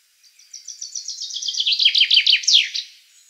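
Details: Common chaffinch of the Black Sea subspecies singing: an accelerating series of bright, descending chirps that quickens into a trill, then drops lower and ends in a sharp, emphatic flourish after about two and a half seconds.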